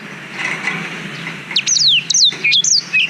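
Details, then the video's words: Black-throated canary singing, recorded with a GoPro Hero 5 as tutor song for young canaries. Soft background murmur comes first, then a rapid run of high, steeply falling whistles and short chirps. "Suara Blackthroat Durasi Panjang Untuk Masteran Kenari"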